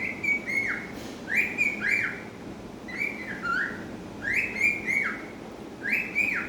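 A cockatiel whistles a repeated phrase of clear, slurred notes that rise, then drop away.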